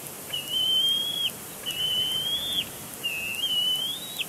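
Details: Young bald eagle on the nest at Big Bear Lake, 27 April 2022, keeps complaining at its father: three high, whistled squeals in quick succession, each about a second long, gently wavering and rising at the close.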